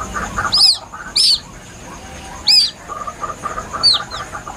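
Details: Plaintive White-breasted waterhen chick calls meant as a lure: loud, high, arched peeps at uneven intervals, the last one fainter, with soft low chirping underneath.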